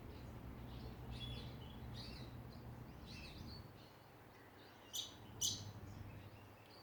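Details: Australian songbirds in a backyard at Ballajura, Western Australia: faint high chirps and short twittering notes through the first half, then two sharp, loud clicking notes near the end over low steady background hum.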